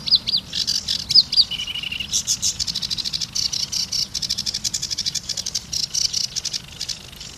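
A sedge warbler pours out a fast, high, chattering song of scratchy notes, brief whistles and rapid buzzy trills, with barely a pause throughout.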